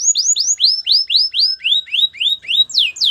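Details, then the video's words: Singing canary delivering quick arched whistles, about four per second, each slurring down and stepping slightly lower in pitch, ending in steep, sharp downward slides. "Canary bird sounds | Your canary will sing a lot"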